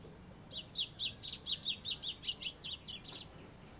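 White-throated seedeater singing a quick run of about a dozen high, sharp chirps, roughly four per second, that fade slightly toward the end; faint background hiss.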